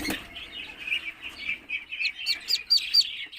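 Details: Newly hatched Muscovy ducklings in an incubator, eggs hatched after 28 days; a chorus of high, thin peeps, ending in a run of clearer downslurred cheeps about every quarter second.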